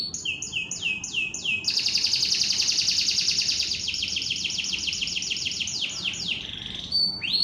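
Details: Canary in competition training opening with falling swoops, then pouring out a long rapid buzzy trill that breaks into slurred notes and ends with a thin whistle.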